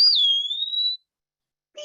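Eastern Wood-Pewee giving one clear, slurred whistle lasting about a second: high, dipping, then slowly rising like a question. A brief low voice-like sound follows after a pause.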